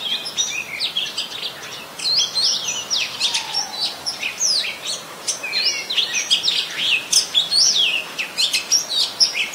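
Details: Red-whiskered bulbul, adult, Ubon Ratchathani, Thailand, 3 January 2021: dense, busy chattering and whistled warbling, many rapid chirpy notes tumbling together almost continuously.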